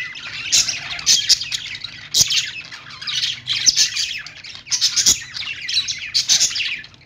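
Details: Budgerigars heard in the morning, keeping up a busy stream of high warbles, chirps and harsh squawks, louder bursts roughly every second or so, over a quiet low background hum.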